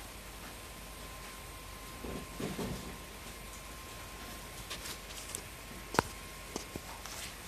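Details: Indoor hum with soft rustling, scattered taps and one sharp knock, and no animal calls.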